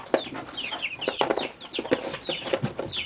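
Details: Thirty-day-old chicks exploring a brooder, part of a flock of 28 hens and 9 roosters: bright, descending cheeps repeated several times a second, some clustered in quick pairs, over soft rustling and tapping.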